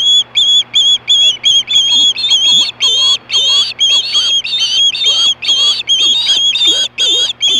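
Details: Hellgate osprey, 2014, 4:19 PM, screaming for fish: a sustained string of loud, shrill chirping whistles, clustered in tight runs that carry on for several seconds without pause.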